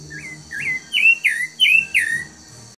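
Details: A spirited captive chalk-browed mockingbird that sings varied songs gives a quick run of six bright, slurred whistled notes, each dipping or falling, with a steady high insect hum behind.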